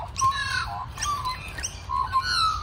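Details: Two pet sibling magpies, described as very chatty on a Sunday morning and sometimes competing for raisins or food, chatter in three quick bursts of rough, warbling, squeaky, wavering notes, about one burst a second, over a faint low room hum.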